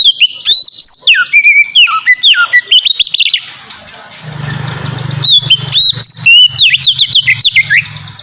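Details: Singing white-rumped shama, a lure for prompting other shamas to sing: rapid whistled and chipping notes, a hissy low-humming interval in the middle, then a further burst of bright slurred whistles.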